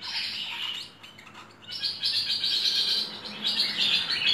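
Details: Dense, high chirping and twittering from merbah lekir bulbul in a full-fill training recording, broken by a short lull, then resuming in rapid overlapping bursts.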